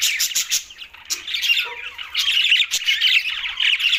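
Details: Green budgerigars chirping during a meal in Larkana, Sindh: rapid clicking chirps at the start, a brief lull, then loud continuous warbling chatter.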